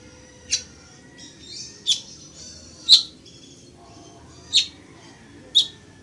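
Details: Weaver (chichiguago) recorded to teach birds song. Five harsh, scratchy chip notes are widely and unevenly spaced, with softer wheezy sounds between them over a low background rumble.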